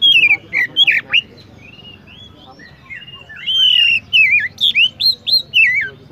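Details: Oriental magpie-robin singing: bright chirps and clear whistled notes, some sliding and warbled, in short bursts with a pause mid-way, faint background murmur.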